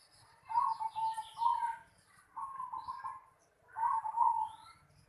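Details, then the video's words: Close zebra dove in a home yard giving three rolling, quavering coo phrases about a second and a half apart, over a low hum and faint high twitter. "Suara burung perkutut di halaman rumah"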